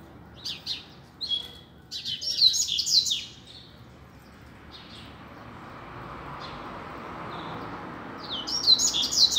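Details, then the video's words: A loose double-collared seedeater sings in the street for teaching young birds: short high chirps lead into a busy trilled phrase, then a long pause with hiss and rumble, and a new burst at the end. "COLEIRO SOLTO NEM SABE PRA ONDE VAI!!! Dando Show na Rua!!! - Coleiro Professor Aprendizado"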